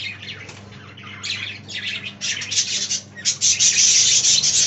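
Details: Budgerigars kept in a parrot aviary chatter in dense, buzzy warbling phrases that start softly, then build into continuous loud high-pitched twittering, over a faint mechanical hum.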